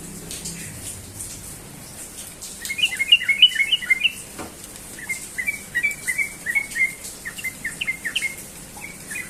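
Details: Sooty-headed bulbul in the morning, quiet at first, then a lively burst of doubled bubbly whistles followed by a steadier series of short, slightly rising chirpy notes running to the end.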